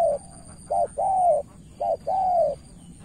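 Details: Spotted dove decoy in Cà Mau, Vietnam, challenging a veteran rival with two short-long coo pairs, each long note level then dropping slightly. A faint high whine runs throughout.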